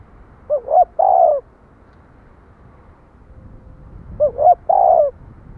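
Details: Two coo phrases from a spotted dove about three and a half seconds apart. Each has a pair of quick hooting notes and then a drawn-out descending coo, over quiet low rumble.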